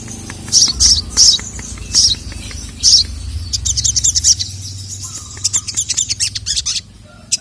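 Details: Sogon, a sogok ontong, a female calling a male that answers angrily; spaced high chirps at first, then quicker runs of thin ticking notes, over a low hum.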